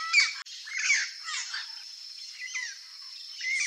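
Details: Free-living Turquoise-fronted Amazon, Brazil, feeding on a banana: a run of harsh, grating squawks with nasal, wavering notes, uneven in rhythm, louder at the start and end.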